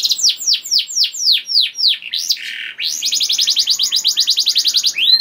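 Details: Canary singing, played to coax other canaries into song: a series of looping downslurred whistles followed by a quick, even trill of clipped notes repeated several times a second, all high and bright.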